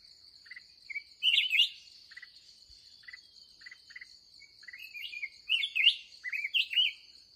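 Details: Wild red-whiskered bulbul, described as fired up, met during the last trapping session of the day; bright warbled, slurred phrases in bursts with short clipped notes between them, over a steady high insect-like whine.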